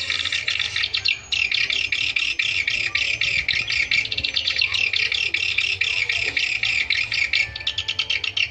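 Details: Swiftlet calling used to lure swiftlets, with a dense, unbroken stream of high, rattling chirrs and rapid clicking. The sound is almost continuous, with fine pulses throughout and a low hum in the background.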